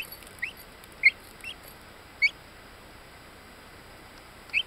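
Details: Buff black-laced dwarf Orpington chicks aged ten days in Binzen, May 2013, give about five loud, sharp, rising peeps spaced unevenly roughly every half to one second, with quiet hiss between them.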